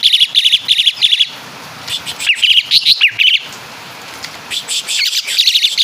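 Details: Asian pied starling from Java imitating caladi and kapas tembak calls, giving short bursts of high, clipped chirps separated by brief pauses, with twittering upslurred notes between bursts.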